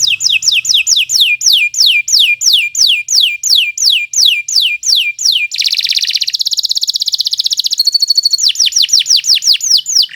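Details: Canary in long, continuous song meant as a tutor recording for other birds: clear whistles sweeping downward, repeated steadily about three per second, then a dense fast trill and more swooping notes.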